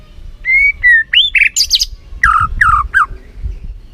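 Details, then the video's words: White-rumped shama lure song meant to excite another bird; smooth whistles lead into harsher squeaky notes, then three falling slurred whistles, varied and lively over a few seconds. "PANCINGAN MURAI BATU BONGKAR ISIAN GACOR, MURAI BATU MALAS NAIK EMOSI LANGSUNG BUNYI GACOR."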